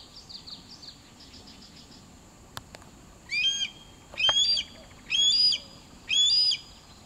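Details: Red-tailed hawk perched in a huge willow by the Bill Williams River, Arizona wildlife refuge, 29 June 2013, gives four harsh, hoarse calls about a second apart, preceded by faint high twittering and a couple of sharp clicks.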